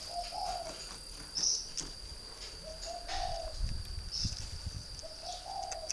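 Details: Northern Vietnamese spotted dove, a three-year caged decoy, repeats a low two-part coo three times at steady spacing, a quick note leading into a mellow rolling phrase; high steady whine and some low thumps behind.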